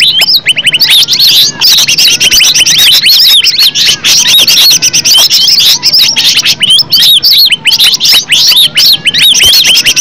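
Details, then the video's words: Green leafbird's genuine natural song, used to provoke other leafbirds to answer: a long, unbroken cascade of shrill, looping whistles and quick chips, varied and relentless throughout. "Cucak ijo suara alam suara asli"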